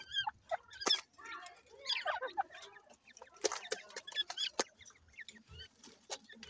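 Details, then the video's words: Grey francolin chicks calling: dense bursts of short high chirps and thin peeps, some rising and falling, mixed with sharp clicks and rustling in a busy, overlapping chatter. "Grey francolin chicks Call"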